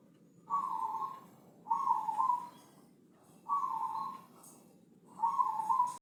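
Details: Thick-voiced Javanese zebra dove, Senin Mataram line, in ngepat style, used as a master recording to teach other birds: four even, burry cooing phrases, each under a second, repeated about every 1.7 seconds with a low background rumble.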